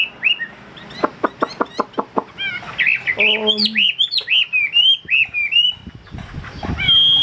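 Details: Top-grade caged Chinese hwamei with a fanned tail: a few whistles, then a string of dry clicking taps about every quarter second, followed by bright, bouncing whistled phrases and a final steady high whistle.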